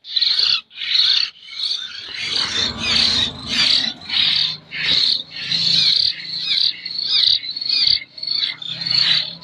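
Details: Hill myna youngster from Jember, still hand-reared, keeps up a long series of harsh, grating begging calls, roughly fifteen bursts at an uneven pace. A low rumble of background noise runs throughout.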